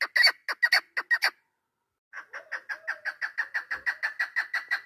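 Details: Female chukar partridge kept as a hunting bird, 3 May 2025: loud, rough chucks, silence, then a softer quick series of clucks, joined by a faint sliding whistle-like tone.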